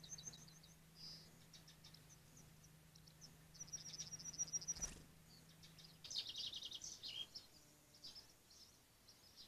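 Blue tit giving thin, high, scattered call notes and a brief buzzy churring burst, over a steady low mechanical hum.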